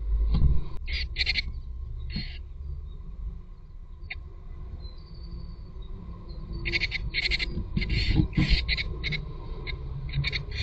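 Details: Tits at their nest on an ordinary day, giving clusters of short, sharp, high chirping bursts in quick runs, pausing, then resuming in longer series. A steady low rumbling noise runs underneath throughout.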